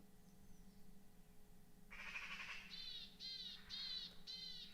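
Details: Several Eurasian magpies give harsh, rattling alarm chatters for an unknown reason, in quick bursts of about two per second, on a morning in a forest in northern Sweden, over a low steady hum.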